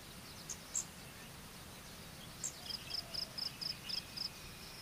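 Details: Common kingfisher (Alcedo atthis) chick waiting for its mother to come home: thin, high, clipped notes, a few scattered and then a quick run of about seven, four per second, over steady outdoor hiss.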